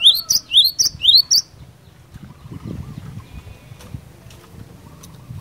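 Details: Gacor fighter song of a glatik batu (cinereous tit), aimed at provoking other birds into answering: four rapid ringing two-part phrases, high swooping note then lower one, giving way to soft rustling and low background noise.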